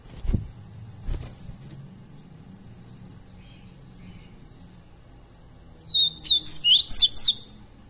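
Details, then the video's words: Double-collared seedeater song recorded live for training captive birds: after low thumps and quiet rural background, a late burst of rapid, high, sharply descending whistled notes runs for about two seconds. "ENCARTE PARA COLEIRO PARDO gravação ao vivo"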